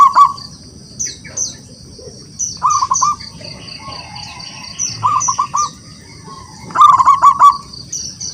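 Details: Local wild zebra dove singing to call rivals: four short phrases of rapid, rolling coo notes spaced a couple of seconds apart, the last loudest, with constant high chirping from other birds.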